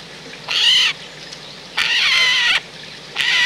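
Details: Eurasian jay at a countryside bird feeding point in central France, recorded 17 December 2019 in autumn; repeated grating, scratchy screeches, the middle one longer, about a second apart, over quiet background.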